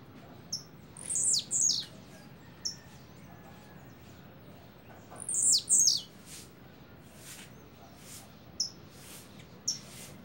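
Blue-black grassquit giving high, sharp buzzy phrases in quick pairs, a few seconds apart, with thin single chips in between over a quiet hiss.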